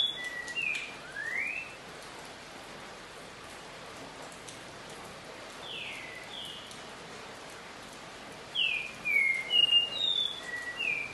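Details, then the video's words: Green-winged saltator (Saltator similis) at half past noon on Saturday, 24 October 2020, giving loud, clear whistled phrases of quick slurred and falling notes in two bursts, over a steady rain-like hiss. "Esse trinca tem VIRADA CARATINGA Ú N I C A jamais vista"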